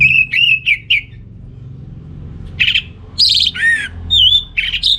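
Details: Lure song of an orange-headed thrush meant to excite males short on breeding drive: clear wavering whistles, a pause, then loud ringing slurred and falling notes delivered in quick succession.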